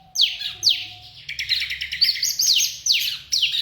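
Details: Bar-winged prinia in a daily breeding cage singing a loud, fast series of steeply falling, slightly buzzy chirps, several per second, in an almost continuous chattering run over a faint low hum.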